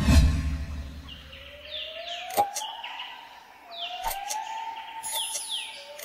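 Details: Society finch during the mating process at a bird farm in Sidoarjo, East Java, Indonesia, sings quick series of thin, falling chirps in short bursts, over a slow, low rising wail like a distant siren.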